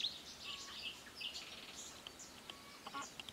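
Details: A Eurasian penduline tit finishing its nest at Idanha-a-Nova gives several thin, high, short notes scattered over a few seconds against a steady background hiss.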